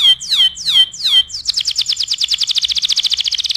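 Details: Tutoring song from a canary: three bold descending swoops, each ending on a held note, then a rapid rattling trill that speeds into a dense buzz.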